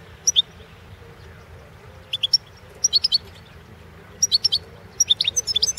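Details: Competition recording of a European goldfinch, subspecies balcanica: clusters of quick, high, tinkling twitters that grow denser toward the end, over a low background hum.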